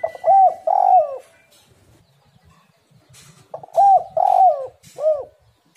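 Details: Spotted dove (tekukur) singing a 'gacor' lure song used to get kept doves singing: two phrases of mellow mid-pitched coos, each a short lead-in note, a long burry coo and a clipped final coo, separated by a quiet gap.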